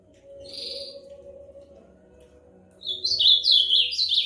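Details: Ultramarine grosbeak singing after a quiet start: one short high note early, then from near the three-second mark a rapid, lively warble of high, sweet notes rising and falling, with a faint low hum underneath.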